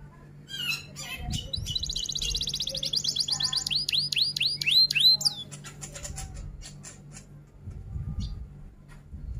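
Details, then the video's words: Long-duration song of an F1 canary in rol tembak style: chattering notes lead into a fast buzzy roll, then repeated bright upswept whistles, followed by softer scattered clicks and low background rumble. "Kenari F1 Gacor Rol Tembak Top Durasi Panjang"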